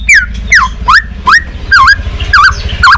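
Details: White-rumped shama lure song of the balak 6 type, used for catching birds: seven loud slurred whistles, each bending down then up, repeated about twice a second over a low rumbling background.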